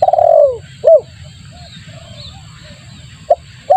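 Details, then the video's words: Spotted dove lure call meant to draw birds in: one long throaty descending coo and a short hooked note, then quiet with faint chirps and low hum. "suara pikat tekukur bagus untuk pancingan"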